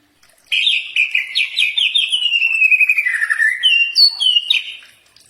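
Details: Common iora training song: a rapid, chattering run of short notes that slides gradually lower for about three seconds, followed by a few separate higher whistled notes.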